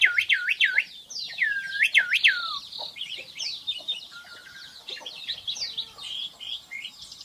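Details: Black-winged myna opening with looping whistled notes that swoop down and up several times, followed by a fast, busy stream of high chattering notes.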